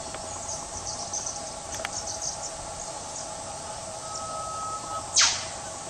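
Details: Australian whipbird calling from bush undergrowth: a faint long steady whistle followed by a loud, sharp, downward whip-crack near the end, over constant insect drone and scattered high chirps.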